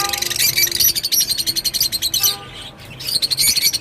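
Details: Rosy-faced lovebird chattering: a fast, steady stream of high, squeaky pulses, about ten each second. It breaks off briefly near the middle, then resumes just as busily, over a faint low hum.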